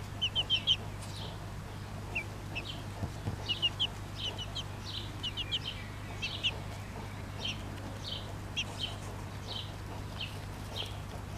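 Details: Bobtail-coloured Pekin bantam mother hen with her chicks; the young give clustered high peeps, each a quick falling note, in irregular bursts with short gaps, against a constant low hum.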